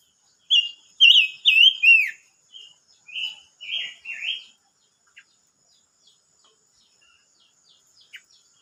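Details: Silver-eared mesia singing, recorded 25 May 2022: a loud burst of clear whistled, slurred phrases, some rising and some falling, delivered in quick succession over about four seconds, followed by a few faint, scattered chips against a quiet background.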